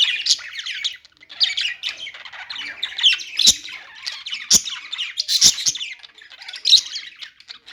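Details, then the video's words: Budgies singing: continuous buzzy, scratchy warbling made of dense short chirps, with several sharp clicks throughout. "budgies singing | budgie sounds | parakeet chirping sounds"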